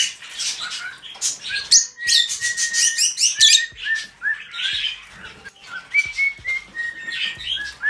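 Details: Pet cockatiel singing at home: a run of short whistled notes near one pitch, some sliding upward, mixed with dense scratchy chattering bursts and faint wing flutters, with brief pauses between phrases.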